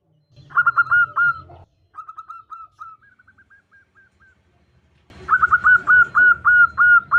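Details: Female zebra dove calling a male. A rapid rolling phrase of clipped coos, a fading series of soft evenly spaced notes, then a loud, longer run of stuttered, ringing coos.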